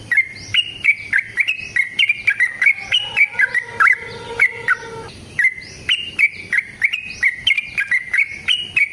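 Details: Yellow-vented bulbul performing a long fighting song used as a lure for other bulbuls: continuous bubbly whistled warbling with quick pitch leaps, plus a stretch of lower, steadier tones in the middle, with clicks throughout.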